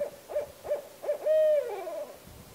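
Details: Barred owl with three quick, clipped hoots followed by a loud, prolonged hoot that holds steady and then falls away in pitch.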